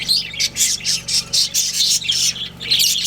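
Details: Pet budgerigars, a breeding pair, calling in loud rhythmic squawky chirps about three per second, each a harsh buzzy burst, over a soft low hum.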